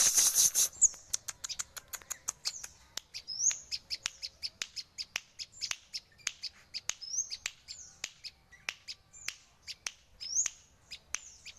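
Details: Sogon, a songbird, gives high, thin chirps and short downslurred whistles. They come in an uneven series of about two to three per second, mixed with sharp ticking clicks. A brief hissy burst opens the recording.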